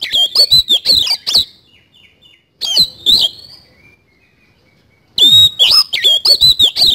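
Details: Kacer (Oriental magpie-robin) in energetic 'isian kasan' song: bursts of quick scratchy notes and high whistles at roughly three per second, broken by pauses holding faint soft twittering, then a final rapid run.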